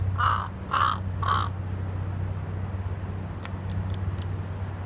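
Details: Crows in Japan giving three hoarse, nasal caws in quick succession, followed by faint clicks and a steady low hum in the background.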